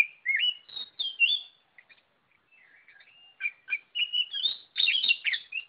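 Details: Kacer, the Oriental magpie-robin, in energetic gacor song: rapid varied whistles and chirps, a short quiet gap of soft warbling, then a loud dense flurry of high scratchy notes and bright whistles toward the end.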